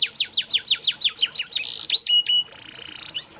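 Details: Training song for canaries: a series of descending rattling notes about five per second, a buzzy burst, pure steady whistles, and a fading nasal tone.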